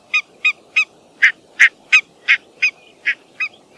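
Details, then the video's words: Barnacle goose (Branta leucopsis) giving a series of short, sharp yapping honks, about eleven in under four seconds, high-pitched and almost dog-like, over a quiet background. "Barnacle Goose Sound, Barnacle Goose Call and Song"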